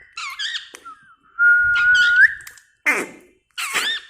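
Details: Pet parrot repeating "mitthu" clearly: short raspy syllables, a long steady whistled note sweeping upward at its end, then two brief harsh bursts after a pause.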